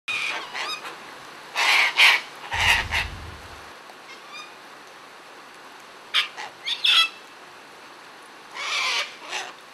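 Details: Sulphur-crested cockatoos, several parrots out feeding and playing, give loud harsh broadband screeches in short bursts, clustered near the start, middle and end with quiet gaps between.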